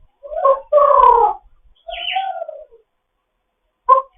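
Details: Morning chatter from an African grey parrot in foster care: warbling, speech-like harmonic phrases, a brief nasal squeak, then a short burst at the end.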